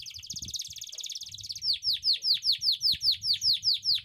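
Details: Tutor song of a canary meant to teach young canaries: a fast, even, buzzy trill, then a clear series of loud downslurred whistles repeated about three times a second.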